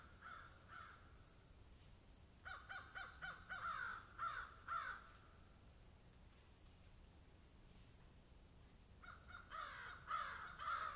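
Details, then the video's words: Crow calling while eating food: bursts of harsh, rasping caws in quick series around two to five seconds and again near the end, with steady background hiss and faint insect hum. "Crow sound"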